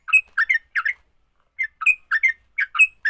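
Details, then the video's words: Sooty-headed bulbul fighting song meant to prompt other bulbuls to sing: two short bursts of bubbly, slurred notes mixed with clear whistled chirps, split by a half-second silence. "Kicau TRUCUK TARUNG, paling cepat bikin trucukan BUNYI."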